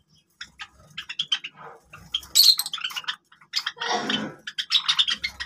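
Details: Java sparrows playing with grass, giving short, sharp chips and clicking notes in quick, irregular bursts, with a brief louder rustling, scratchy noise partway through.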